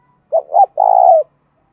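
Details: Lure call of a decoy spotted dove meant to attract wild birds: a clean three-part coo of two brief hoots and one longer, level, faintly rough note ending in a slight fall. No background noise.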